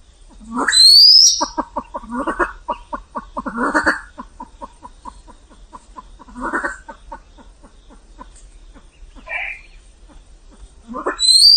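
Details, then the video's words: A silver pheasant gives long runs of quick, even clucking ticks broken by harsh rasping bursts, with a thin rising whistle at the start and end. "Tiếng Gà lôi trắng kêu - white pheasant sound"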